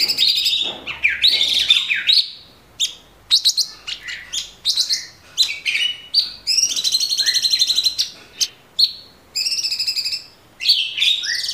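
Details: Cucak cungkok, orange-bellied leafbird, in cage-bird master recording: varied loud song mixing swooping whistles, rapid chip series and long ringing trilled phrases, delivered in bursts separated by brief pauses.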